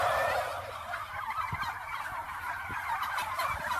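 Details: Continuous, thick, gravelly gobbling from a turkey that fills the whole stretch, with a noisy, slightly echoing background.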